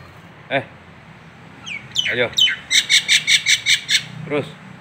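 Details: Nias hill myna from Indonesia, local tutor recording: a fast run of eight harsh, evenly spaced ringing notes after brief whistles, with a man's short spoken calls before and after.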